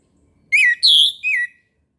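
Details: In the morning, an orange-headed thrush gives one loud phrase of three fluty whistles, rising-falling, high, then falling. It is offered to spur caged thrushes into song, against a quiet background.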